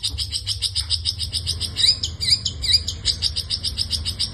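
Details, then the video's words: Long-tailed shrike in energetic full 'isian' song: a fast, steady stream of sharp high ticking notes, about two per second, broken by a few clear down-slurred whistles, over a low constant hum. "burung pentet gacor full isian"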